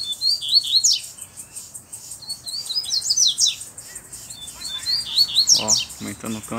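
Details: Black double-collared seedeater with a bluish-white bill, singing hard while calling another male to fight: rapid chirpy, sliding high notes in quick bursts, with a man's speech near the end.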